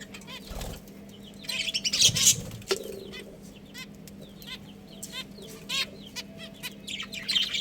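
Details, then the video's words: Chirping budgies, a breeding pair with young, give quick harmonic chirps and noisy chatter, with a thump and rustling near the middle and a low steady hum in the background. "Adorable Budgies Chirping Sounds"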